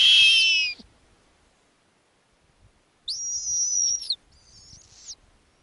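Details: Snowy owl owlets at an Arctic nest when the female returns with a lemming on a summer night: a loud high squeal, silence, then two thin, drawn-out wavering screeches, the first about a second long.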